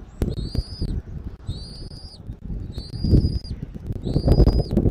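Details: Afternoon nest-cam recording of a bald eagle in Southwest Florida, 13 January 2024: four high, thin whistled notes, each rising slightly then falling, evenly spaced about a second apart, with gusty low wind noise beneath.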